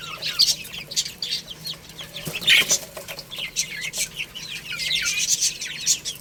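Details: Chicks chirping while playing and eating: many overlapping shrill peeps, short and rapid, pouring out almost continuously, with a sharp tap or rustle now and then.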